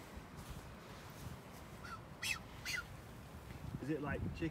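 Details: Blue-footed booby (Sula nebouxii) on the Galapagos Islands: a male doing a courtship dance toward a female already sitting on eggs gives a few short, harsh honks and a nasal, wavering call, over wind or surf and a faint voice.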